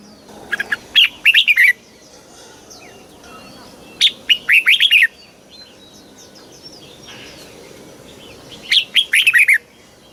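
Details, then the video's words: Caged red-whiskered bulbul singing in the southern master-song style, used to stimulate birds and train young ones: three loud bursts of quick, fluty, rising and falling notes spaced a few seconds apart, faint chirps of other birds between. "เสียงนกกรงหัวจุก สำหรับต่อ หรือ เปิดให้นกคึก เสียงเพราะๆ"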